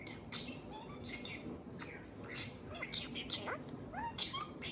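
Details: House parakeet in a small room: soft scratchy chirps and brief rising whistles spread over the moment, one sharper squeak near the end, over a steady background hum.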